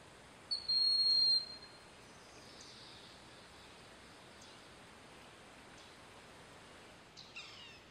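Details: Wild broad-winged hawk on a snag in Sugar Hill State Forest, Watkins Glen, New York, with another broad-winged hawk and a red-shouldered hawk nearby; a single piercing, level whistle near the start, then near silence and a faint distant call at the end.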